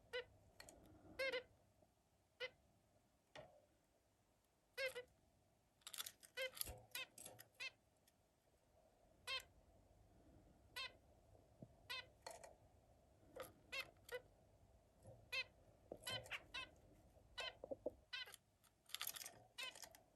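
A zebra finch gives short, nasal, buzzy notes in irregular bursts over a low steady hum.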